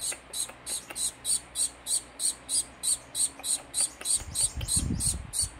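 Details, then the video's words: Fawn society finch chick, a baby being hand-fed, gives high, thin, buzzy begging notes repeated about three times a second in a steady series. A low rustling handling noise joins near the end. "Hand Feeding Fawn Social Finch Baby"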